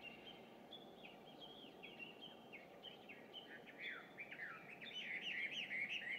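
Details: Chinese hwamei, an introduced bird, singing at dawn on June 2, 2019: fairly soft, repeated whistled phrases at first, swelling into louder, rapid slurred notes toward the end.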